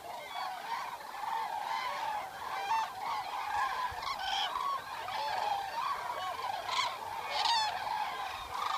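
A large flock of common cranes calling together, a dense chorus of loud, rolling, trumpeting notes overlapping without pause.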